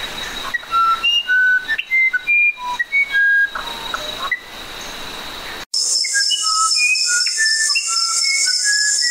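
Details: Musician wren whistling a melodious sequence of pure, sustained notes at changing pitches; midway a loud high insect buzz starts beneath the continuing whistled phrases.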